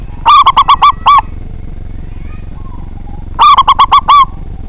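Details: Big-voiced local zebra dove, sung to goad rival birds. Two rapid bursts of six deep, ringing coos about three seconds apart, each burst finishing with a longer, slightly falling note, over a low steady background hum.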